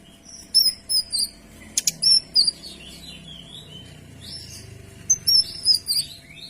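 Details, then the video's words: Kinoy in lively song, meant as a tutor recording: clear high whistled and slurred notes in short bursts, a quick sharp chatter near the middle, then more bright whistled phrases toward the end over a faint low hum. "Suara Kinoy Gacor Tembakan Rapat dan Jernih"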